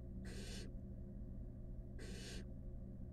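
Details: Two strong, even, rasping hisses, each close to half a second, come from five wild barn owl nestlings huddled in a camera-watched nest box, over a continuous low hum.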